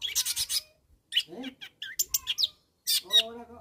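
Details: Rapid rasping chatter from a long-tailed shrike calling out rivals, followed by a pause, then scattered harsh squeaks and a buzzy, harmonic, nasal phrase.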